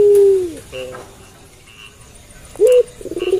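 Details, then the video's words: Puter pelung dove cooing at night; one long low falling coo opens, followed by a quiet stretch, then a short note and a pulsed rising series at the end. "Puter Pelung Gacor Manggung Malam Hari"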